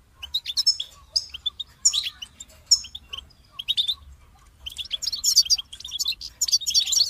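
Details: Goldfinch song in separate twittering phrases with sharp sliding notes, then a rich, dense burst of jingling trills over a quiet low rumble.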